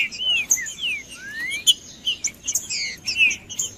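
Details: Macheando singing by a green-winged saltator to warm up other males: short falling whistles and a long rising slur, followed by scattered high twitters and chips from other birds.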